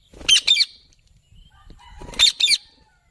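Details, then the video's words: Two widely spaced double screeches from a green parrot, each pair sharp and harsh, separated by over a second of near quiet. "Green Parrot Natural Sounds"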